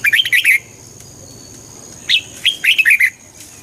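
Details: Red-whiskered bulbul singing to excite a listening bird: a quick warbled phrase of bouncy, clear notes, a gap of silence, then a single chirp followed by a longer run of rolling whistles.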